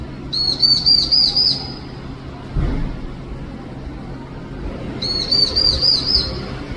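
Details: A stray long-tailed tit chick cries mournfully for its mother with two clusters of shrill, quick-fire high notes, each lasting about a second, separated by a quiet gap with faint background noise.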